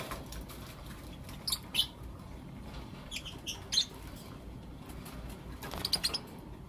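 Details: Blue Opaline and Lutino Opaline lovebirds calling in the morning: short, piercing chirps in loose pairs, one pair about every two seconds, over constant faint clicking and rustling.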